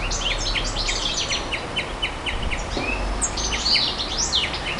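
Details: Rapid, high-pitched nightingale song in clustered phrases of chirps and short trills, broken by a brief pause, then resuming with bright whistled notes.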